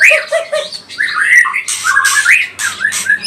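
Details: Pastol-type white-rumped shama singing to provoke rival birds into song; short low whistled notes, then rising and falling slurred whistles broken by loud harsh buzzy bursts, a faint low hum beneath.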